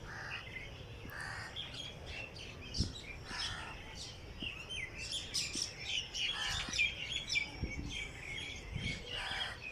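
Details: Dawn birdsong in Jilani Park, Lahore: scattered chirps and short whistles from several birds, more spaced out than a full chorus, with occasional soft broadband rustles.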